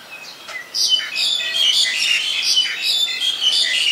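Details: Black-collared starling, Ubon Ratchathani, Thailand, 2 January 2020: after a soft start, sustained loud, scratchy chattering with squeaky whistles pours out almost without pause.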